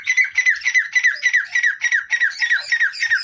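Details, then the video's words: A male and a female Grey Francolin (teetar) call together with harsh, squeaky notes repeated rapidly, three or four a second, in a steady ringing series. "Grey Francolin male and female male teetar voice teetar awaz"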